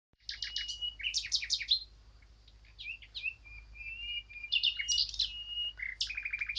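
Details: Eurasian blackcap singing a varied, fast warble of high chattering notes, broken by clear whistled phrases and slurred fluty notes, in bursts of about one to two seconds with short pauses between.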